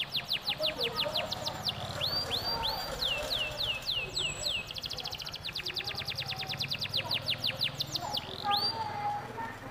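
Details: Domestic canary singing vigorously, used as a lure so other canaries join in: alternating runs of falling swoops and very fast trills of repeated notes for nearly ten seconds, with a steady low hum underneath.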